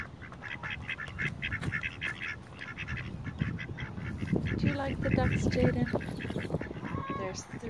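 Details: Ducks quack in rapid, irregular bursts of short nasal calls, overlapping with busy background noise and a few higher squeaks toward the end.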